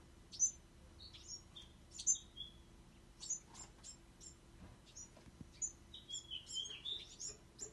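Young Bewick's wrens give thin, high squeaky chirps and short downslurred notes, loosely spaced, then quicker near the end, over a faint low hum.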